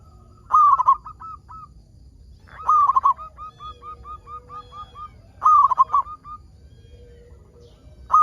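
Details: Local zebra dove singing actively, used to prompt other zebra doves to sing: mellow, hollow coos opening each phrase, then a run of short, evenly spaced cooing notes, with phrases recurring about every two and a half seconds.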